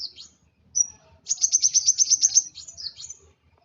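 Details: Agitated sunbird, the kolibri wulung, sounding a quick burst of sharp, high ticking notes between thin whistled chirps.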